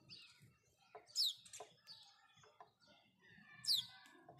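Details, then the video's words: House sparrow in the morning giving two loud, sharp downslurred chirps about two and a half seconds apart, over softer background chirping and twittering. "house sparrow chirping"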